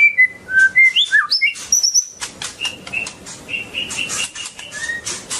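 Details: Long-tailed white-rumped shama singing: a rapid run of clear whistled notes that slide up and down and climb to high squeaky tones, followed by softer mellow whistles and scratchy chips.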